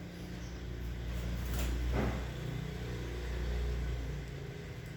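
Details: Steady low vehicle engine rumble rises and falls, with no animal voice heard.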